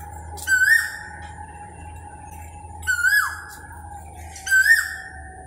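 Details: A koel repeats a clear rising whistle three times, roughly every two seconds; each note climbs sharply and ends in a short upward flick, with a constant low hum beneath.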